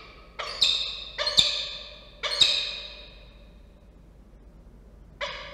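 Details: Peregrine falcon pair at a nest in Orange, New South Wales, on 21 December 2023, calling in alarm at a possible intruder: three harsh, drawn-out rasping calls in quick succession, then a pause and a fourth call beginning.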